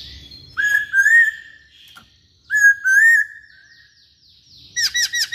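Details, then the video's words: Poksay Hongkong laughingthrush in vigorous song: two long rising-and-warbling whistled phrases about two seconds apart, ending with a quick series of four bright, bouncing notes. "Burung Poksay Hongkong Gacor"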